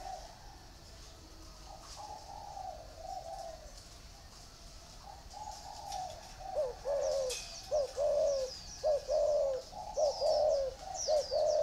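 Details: Caged spotted doves, one in a round bamboo cage and one in an iron cage: faint cooing at first, then loud rhythmic short-long coos in quick succession, with thin high chirps from another bird overhead.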